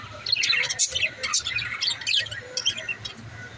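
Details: A budgerigar mother in a nest pot makes sharp, bright chirps and rapid scratchy warbles in short bursts separated by tiny gaps, over a faint low hum.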